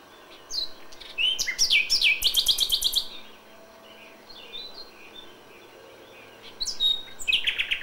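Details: Common nightingale singing at dawn in May: a loud phrase of rapid, sharply repeated high notes over a sweeping whistle, a pause, then another bright burst of song begins near the end.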